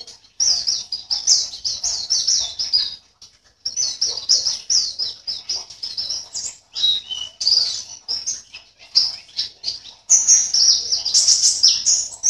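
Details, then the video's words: Caged white-eye from Sambas, West Kalimantan, Indonesia, singing as a competition entrant: rapid, high, twittering chirps in long dense bursts, broken by short pauses near three and ten seconds. "LOMBA PLECI ONLINE 16 - Aksi Pleci"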